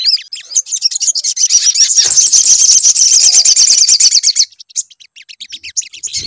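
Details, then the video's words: Sunbird lure song meant to prompt another bird to sing: a dense, very high, fast-chattering trill lasting about four seconds, then scattered sharp chirps, with a dull knock near the end. "PANCINGAN SUARA SOGON AGAR BUNYI"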